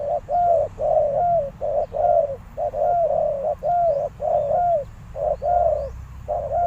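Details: Spotted dove used as a decoy, cooing to draw in wild doves: steady rhythmic phrases of a short note then a drawn-out, gently arched coo, repeating continuously, loud and close.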